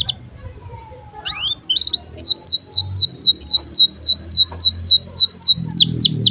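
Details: Domestic canary in breeding condition, chirping birahi notes for tutoring young birds: after a few scattered chirps, a long, steady series of sharp, high upswept notes repeated about three to four times per second, over a low background hum.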